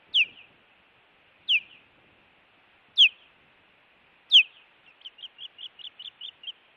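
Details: During an intruder visit at a Montana osprey nest, 16 June 2017, live camera: four loud, clipped, down-slurred chirps about 1.5 seconds apart, the last leading into a rapid run of about nine short, softer piping notes.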